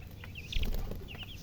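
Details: Chicken chicks chirping: a few clear, high, whistled peeps sliding down in pitch, with a soft thump and low hum between them.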